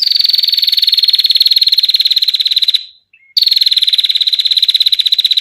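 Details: Female bar-winged prinia giving a long, clear 'ngetir' trill, a fast even rattle of high notes lasting nearly three seconds, then a brief pause before another sustained trill begins; used for training songbirds or luring prinias.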